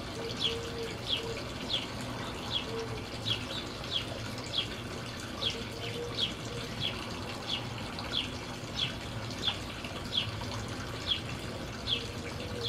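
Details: Wild western tanagers (Piranga ludoviciana) at a feeder of oranges, jelly and suet in Colorado Springs give sharp, high chipping notes in a steady series, about two each second, over a constant rushing hiss like running water.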